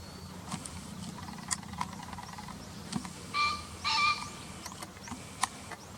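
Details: Green pheasant call, a field-guide recording: two loud, harsh, hoarse bursts about half a second apart, each a rasping honk with strong overtones, over a quiet rural background with faint clicks and ticks.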